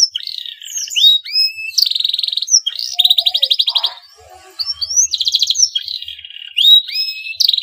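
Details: Male canary in breeding condition, singing to provoke other canaries into song: rising whistled slurs, then buzzy rapid trills in bursts, a brief quieter gap, then more trills and upward whistles.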